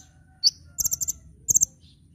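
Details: Kolibri ninja sunbird master song for training cage birds, lively nyecret-nembak style: a single piercing chirp followed by two brisk bursts of four very high, clipped notes each.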